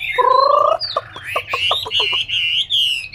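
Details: A caged Chinese hwamei in Hanoi, Vietnam, opens with a low, nasal drawn-out note, then a quick row of sharp clicks, then bright upward-sliding whistles held briefly at the end.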